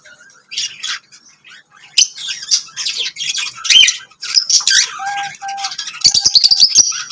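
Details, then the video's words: Lovebirds singing and chirping indoors: scattered harsh chirps and squeaky notes that build to rapid chatter, with clear sustained whistled tones and clicking near the end. "Lovebirds singing and chirping sounds"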